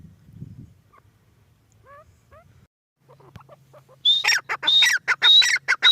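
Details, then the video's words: Female grey francolin calling: after about four seconds of near silence with faint chirps, a loud burst of harsh, strident notes with a high whistled edge begins and is repeated rapidly to the end. "Teetar awaz | teetar ki awaz | teetar sound | dakhni teetar awaz | female titar awaz"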